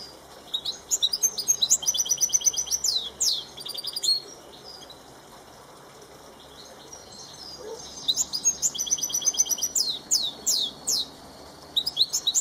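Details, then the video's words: Goldfinch mule, a top-class singer, in full song: two long bursts of fast high twittering, trilled rattles and sweeping whistled notes, separated by a quiet pause of several seconds. "Goldfinch Mule in full Song"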